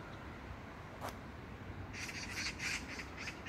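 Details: Magpie recorded in a neighbourhood park in Gyeyang-gu, Incheon, South Korea, on June 19, 2022. After a single sharp click, a quick burst of harsh, grating squawks closes the stretch, over low background rumble.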